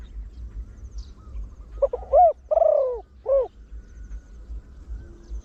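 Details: Single crowing phrase from a trained, big-voiced Spotted Dove used as a lure for wild birds, 'khan yon one kuk' style: stuttered opening notes, then two strong falling coos and a brief end note over quiet background.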